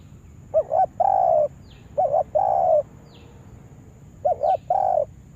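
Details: Used as a trapping lure, a spotted dove repeats a doubled coo and long coo three times at a slow rhythm, with faint thin chirps of other birds between phrases.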